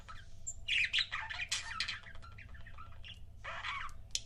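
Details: Pet budgerigar couples give raspy squawks and chattering bursts through most of the clip, loudest in the first half, with low background rumble throughout.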